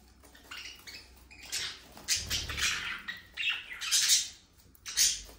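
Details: Budgerigars: scratchy warbles and sharp squawky chirps in repeated bursts, several birds calling over one another.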